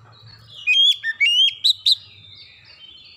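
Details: Oriental magpie-robin song used as a lure to get other birds singing: loud, clear whistled phrases with sharp upslurred and downslurred notes and rapid chattering bursts, quiet low hum beneath.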